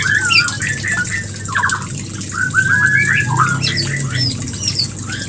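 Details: White-rumped shama calling to mate, meant to bring a female into breeding condition: clustered whistled notes and buzzy slurs in irregular bursts, several per second, against a low continuous hum.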